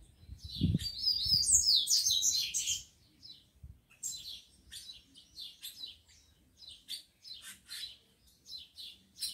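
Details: Rufous-collared sparrow in a breeder's cage, males eager to fight alongside females: a loud jumbled high warbling phrase opens, then a quick run of sharp chip notes about three per second, with a thump early on.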